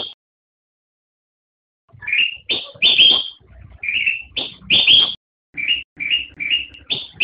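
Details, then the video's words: After nearly two seconds of silence, a black-crested bulbul starts a lively string of whistled, slurred notes, some bright and emphatic, others softer and rising, delivered in quick bursts. "Suara Burung Kutilang Emas"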